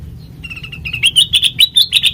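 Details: Sooty-headed bulbul song meant as a lure for training birds: a thin opening note, then a rapid, accelerating string of loud, sharp whistled chirps.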